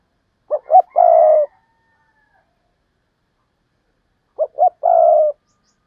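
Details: Spotted dove's double 'hai hậu' call, in the 'gáy thúc' and 'gáy gọi' styles. Two brief clipped notes and a sustained hollow coo make one phrase, and the phrase returns almost four seconds later in near silence.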